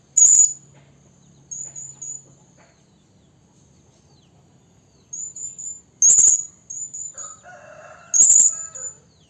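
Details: Blue-crowned hanging parrot lure call used for trapping, described as a female calling the male. Very high, thin squeaky notes come in short bursts near 0.3, 1.7, 5.5, 6.2 and 8.4 seconds, with sharp clicks and faint lower tones near the end.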